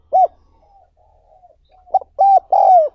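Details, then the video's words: Spotted dove, recorded as a lure and training call for decoy birds: one short coo, a soft drawn-out note, then a run of three coos ending in a long falling note. "60 Phút Tập Chim Cu Gáy Bổi Mỗi Ngày"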